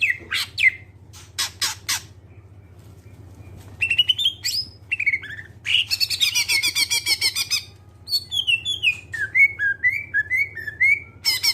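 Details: Greater green leafbird, song played to get other birds singing: sharp clicks and whistles, a quiet gap, rising whistled phrases and a busy chattering burst, then a neat descending sequence of whistles.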